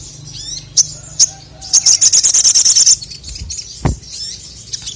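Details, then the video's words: Male crested jay, singing to provoke rivals: two isolated high chips, then a rapid, even series of about a dozen piercing, very high notes, and after a pause scattered softer high twitters. "SOGON MANAPUN NGMAUK GACOR langsung emosi dengar masteran suara burung sogon jantan ini"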